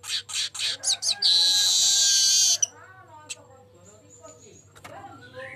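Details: Golden-headed weaver lure recording: rapid scratchy chirps build into a long, continuous, wheezy sizzle lasting more than a second, followed by quiet with faint low murmuring sounds.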